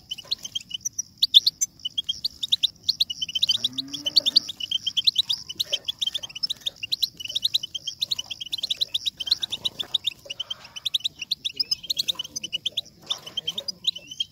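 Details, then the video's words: European goldfinch singing, used to stimulate goldfinches to sing and mate; fast, high, continuous twittering of sharp chirps and tinkling notes, with occasional buzzy trills and a soft low sound midway. "بتبتة الحسون - بتبتة لتحفيز طائر الحسون"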